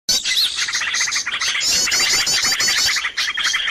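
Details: Noisy bird lure sound used to attract birds: a dense chorus of high chirps and short trilled notes, continuous throughout, with rapid clicking phrases overlapping.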